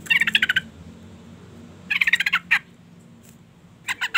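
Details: Female sooty-headed bulbul luring a male with her call: three bursts of fast, harsh rattling pulses, the second ending in a single louder note, with brief quiet gaps.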